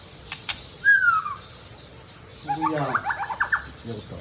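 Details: Mature male white-rumped shama from Tangse, Aceh: a clear whistled note slurring downward, a pause, then a fast stuttering trill of rapid notes, with a couple of sharp clicks before it.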